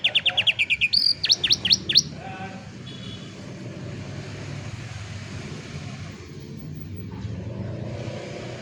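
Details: Training song for young canaries, recorded by cellphone: two seconds of loud, quickly repeated whistled syllables and sharp downslurred notes, then only low background hum and noise.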